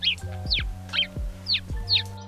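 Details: A sparrow in a UK garden with bird feeders, a species usually seen in groups, gives five bright, clipped chirps at about two a second over low, steady background music.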